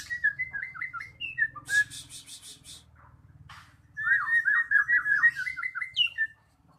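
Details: Magpie-robin singing, meant as a lure to get stalled birds singing: clear whistled notes, a quick burst of hissy chatter, then a long rolling sequence of repeated whistles over a low hum.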